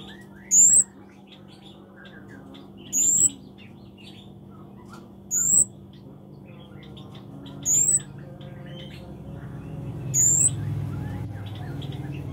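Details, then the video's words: A Scarlet-backed flowerpecker (kemade), singing actively, gives a sharp, very high, thin note about every two seconds, each one brief and clipped, over a low steady background hum. "Burung cabe cabean(kemade) Gacor"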